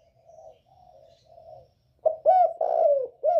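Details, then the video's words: Spotted dove, northern type, whose 'còi bổi' voice is used to provoke other birds. Three soft, quiet coos come first, then a loud phrase of clipped and drawn-out coos breaks in. "Chim cu gáy giọng còi bổi ghét kích chim rất hiệu quả, cu gáy miền bắc"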